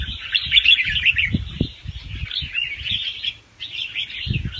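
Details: Young wild red-whiskered bulbul, a caged songbird, singing fast rounds with doubled phrases, used to stir other birds into excitement; dense warbled chatter runs almost unbroken, with a short dip near three and a half seconds and low thumps beneath.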